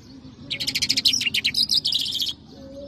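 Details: Mashadi jal song of a lark, the Irani or Afghani jal style: a rapid, dense chattering trill of sharp high notes lasting almost two seconds, then a short faint whistle against low background noise.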